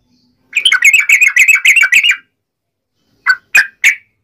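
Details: Yellow-vented bulbul singing its wild fighting uplik ropel song to draw replies from other bulbuls: a rapid bubbly phrase of about ten chattering notes, silence, then three separate sharp chirps.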